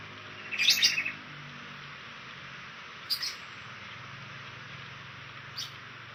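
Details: A fantail at its nest in the wild gives high, sharp chirps in three brief bursts a couple of seconds apart, the first a quick cluster of notes, over a faint low hum.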